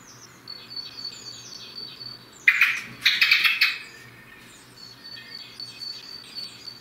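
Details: Common blackbird heard in the morning delivering one loud warbled phrase in two parts, set against steady high twittering and thin whistles from other birds before and after.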